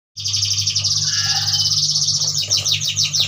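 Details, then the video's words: Yuhinas from Kalimantan twittering in a dense, high, rapid chatter of overlapping notes, likely several birds together, over a steady low electrical hum. "Burung yuhina gacor"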